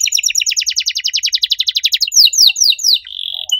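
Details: Canary in loud, lively song with unique phrasing: a fast, even chattering trill of stacked high notes, then a few slower swooping whistles ending on a short steady buzz.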